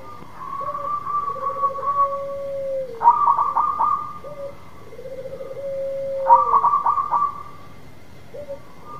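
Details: Local zebra dove singing energetically to draw a silent dove into song: two full phrases about three seconds apart. Each has a rapid stuttering burst of clipped notes and a long even coo, with short coos between.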